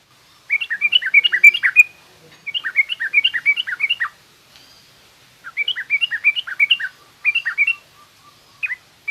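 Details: Yellow-vented bulbul song in the 'garuda' style and rough 'ngriwik' chatter, used as tutoring for young birds. Four rapid phrases of bright, bouncing, chirpy notes, each lasting one to two seconds, separated by short silences.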